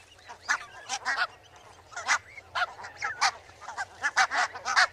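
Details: Barnacle goose flock with distinct high, barking yelps standing out in quick bursts of two or three over a softer background murmur of more distant calls.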